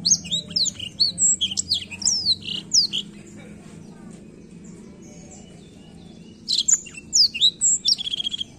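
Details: Black-throat singing: quick run of high, thin whistled and slurred notes, then a pause of about three seconds, then another rapid burst of sharp chirps; faint low background hum.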